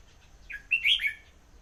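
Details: Red-whiskered bulbul song: one short phrase of about three quick, bright, liquid whistled notes, the middle one loudest, then quiet.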